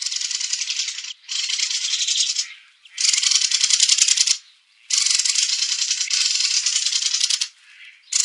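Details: A mistle thrush gives harsh, dry, grating rattle calls, four long churring bursts of one to two and a half seconds each, like a wooden rattle being spun.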